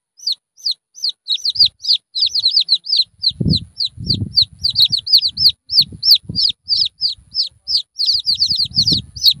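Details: Red junglefowl chick peeping rapidly, high falling chirps tumbling over each other, while lower knocking and rustling sounds come and go.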